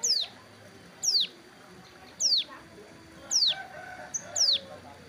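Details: Hill prinia sunning by a roadside while moulting its wing feathers; a sharp, high descending whistle-like note repeated about once a second, five times, over low background murmur.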